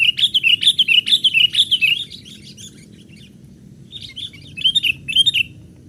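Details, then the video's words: Young sooty-headed bulbul call for luring wild birds: a rapid string of bubbly warbled notes for two seconds, a pause, then shorter bursts of similar chirps, with a faint low hum. "Pikat kutilang muda main ranting"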